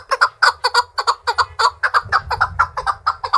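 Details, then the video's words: A captive Chukar partridge trained for fighting delivers rapid repeated chuck calls, fast and somewhat irregular, challenging rivals; a low rumble rises partway through. "Powerful Chukar (chakor) Partridge Singing - صوت حجل بري"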